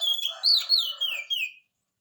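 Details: Short burst of oriental magpie-robin song used to stir a lazy singer into replying: a loud, sweet whistled phrase with rising and falling slurs, over a soft rough undertone, ending abruptly.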